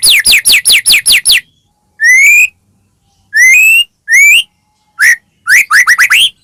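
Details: White-rumped shama singing in full voice, played as a lure to provoke other shamas into singing: a rapid run of sharp downslurred whistles, then pauses broken by rising whistled notes and a final quick burst of short whistles.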